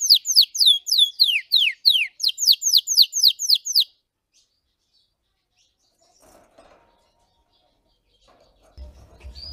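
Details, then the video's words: Red Belgian canary giving its deep, intense training song: about four seconds of rapid falling whistles repeated steadily, followed by near silence with a faint low rumble at the end. "Canário belga vermelho canta muito gargata profunda e intensa para treinar"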